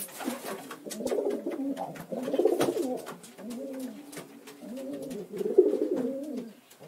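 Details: Pigeon cooing in a small enclosed space, low soft rolling coos rising and falling in several drawn-out phrases, with faint clicks and background rustling throughout.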